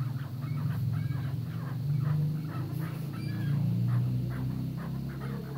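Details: Chukar partridges on a breeding farm, a busy chorus of short, harsh clucking notes repeated rapidly and overlapping, over a steady low mechanical hum.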